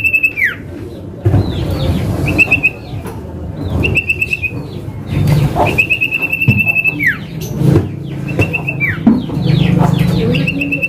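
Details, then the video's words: A male Common Iora repeats its 'manggil nama' call, used to lure and to tutor birds: short and longer level whistles with downward tails, mixed with rapid rising and falling chirps, over low rumbling noise. "PANCINGAN CIPOH SIRTU MANDEK | Burung Sirtu GACOR | Cipoh Manggil Nama"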